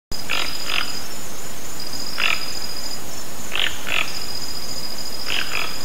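Toco toucan giving rough, frog-like croaks, mostly in quick pairs, repeated about every one and a half seconds, over a steady high insect-like hum.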